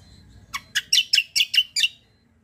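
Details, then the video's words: Kecial white-eye, a contest fighter bird, 'kombo cucak kombo' tutoring song: seven harsh, loud, high chirps repeated rapidly over about one and a half seconds, with faint low background noise. "KECIAL KOMBO CUCAK KOMBO FIGHTER GACOOR"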